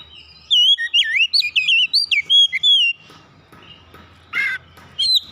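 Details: Oriental magpie-robin (kacer) song: a burst of loud, clear whistled notes, sliding and looping between high and mid pitch, lasting about two and a half seconds, then a quieter pause broken by a short rasping note and a brief whistle.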